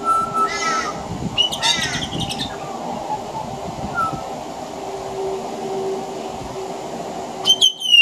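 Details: A pied butcherbird (Cracticus nigrogularis) sings on a veranda in Australia, mimicking other Australian birds: clear whistled notes mixed with harsh, squawky imitations, in bursts near the start and again at the end, over a steady background rumble.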